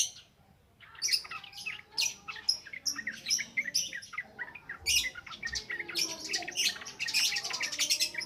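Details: Yellow-vented bulbul singing continuously in the ngropel ngalas style, offered as a lure recording for training untrained birds; dense, rapid bursts of chirping and twittering notes with barely a pause, growing busier in the second half.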